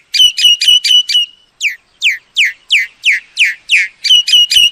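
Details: Lure recording of a myna: clipped flat whistles in a short burst, a row of strong downward-sweeping whistled calls, then the quick flat notes again at the end.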